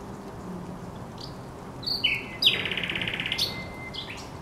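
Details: At Żerań Canal on 24 April 2022, a thrush nightingale sings a few clear whistled notes, then a fast, even, rattling run of about a dozen clicks, ending on a drawn-out whistle. Low hum continues behind it.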